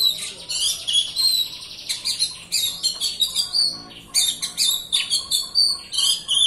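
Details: An Oriental magpie-robin in full song, used as a lure to prompt other magpie-robins to sing, gives a dense, nonstop medley of clear whistles, sweet trills and harsh buzzy notes, high-pitched and varied, with barely a pause.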